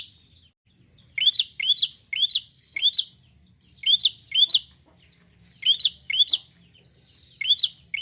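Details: Bar-winged prinia delivering energetic song to prompt other prinias: a long series of sharp rising chirps grouped in twos and threes, bursts spaced under a second apart, quiet background.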